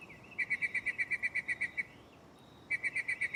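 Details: Mockingbird singing at night from a close tree: a fast, even run of about fifteen identical bright chips, a short pause with a faint rising note, then the same rapid chip series again.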